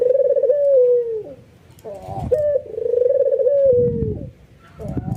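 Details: White albino ringneck dove cooing emotionally while nodding, provoking neighbouring doves to call; two sustained low coos that drop away at the end, separated by short rising notes and soft rustling or scuffling noise.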